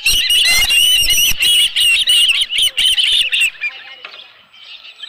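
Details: On 11 July 2018 at Dunrovin Ranch, an osprey at its nest with a live fish gives loud, fast, shrill chirping. Heavy scraping clatter sounds with the calls, then both stop abruptly, leaving faint whistles.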